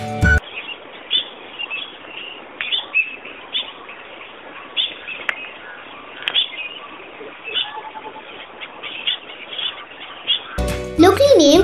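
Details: Ashy woodswallows in Sri Lanka, birds of open areas often perched in groups on power lines, give a steady stream of short, harsh, nasal chirps, several per second and overlapping. Brief music opens and closes the recording.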